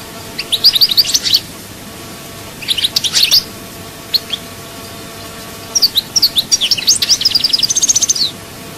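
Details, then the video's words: European goldfinch singing chaayba style, Souk Ahras, Algeria: a twittering burst, a short chirpy phrase, single notes, then a longer rapid sequence of high chirps ending in a fast trill. "chant chardonneret souk ahras chaayba"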